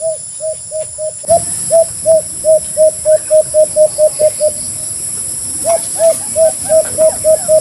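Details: White-eared brown dove (Phapitreron leucotis) giving quick runs of short, low hooting coos, about four a second, in two bursts with a pause, over a steady high insect-like hiss.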